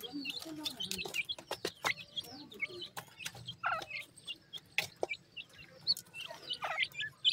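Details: Pheasant chicks busy feeding, uttering many brief high peeps and chirps in irregular runs, punctuated by crisp pecking clicks throughout.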